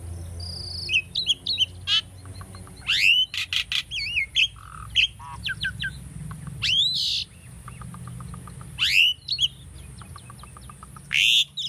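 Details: Tame caged Asian starling singing for bird training, a varied run of sharp rising and falling whistles, short buzzy bursts and quick chirps, irregular phrases separated by brief pauses, with a faint low hum beneath.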